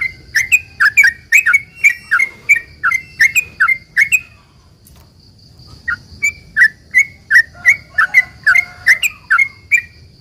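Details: Sooty-headed bulbul giving its long rapid lure song so other bulbuls answer: a fast burst of bubbly chirps for four seconds, a short silence, then another long run of rising and falling liquid notes, with a steady high hum.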